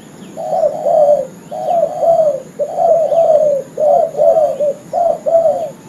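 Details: Spotted dove trapping lure: a male gives six closely spaced two-part coos, a short lead note then a longer downward-slurred one, with faint distant bird chirps overhead.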